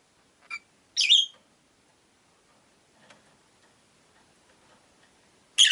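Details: Pet rosy-faced lovebirds, five in a window cage while outside turns sunny then rainy: a short chirp, a louder harsh one, faint street murmur, then another sharp chirp at the end.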